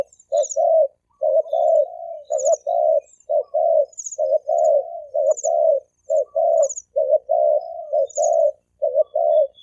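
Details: Thổ kim cooing by male and female spotted doves, meant to lure and provoke wild ones: dense low coos about once a second, with brief high squeaky trills recurring in the background.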